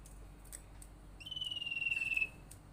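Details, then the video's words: Common iora lure call meant to prompt other ioras to call: one long, steady, slightly falling buzzy whistled trill lasting about a second, heard alone against quiet background hiss. "suara panggilan sirtu paling ampuh bikin sirtu atau cipow lain rajin bunyi"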